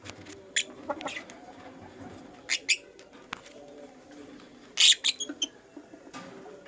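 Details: A lutino lovebird chirps in the morning, its shrill, scratchy calls coming singly and in pairs, ending in a loud rapid burst of four or five harsh squeaks.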